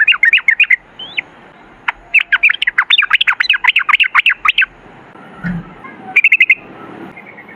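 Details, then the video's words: A sooty-headed bulbul delivers varied, bubbly song in the 'ropel ngalas' style, with quick up-and-down slurred notes in dense runs, a brief quiet spell with a faint low thud, then a short burst of chirps. "MASTERAN TRUCUKAN TERBUKTI AMPUH : Ropel Ngalas"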